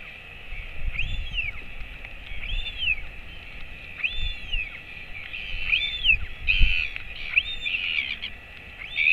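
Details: Royal albatross father feeding his chick at a colony webcam, 28 August 2024, late morning. A series of arched whistles that become denser and more jumbled toward the end, with thumps and hiss underneath.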